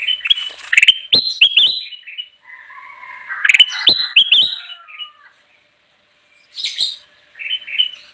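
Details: Ruby-throated bulbul singing lustily, used as a lure for wild birds: bursts of bright, slurred whistled notes mixed with sharp clicks, two busy phrases, then quieter trailing notes after a pause.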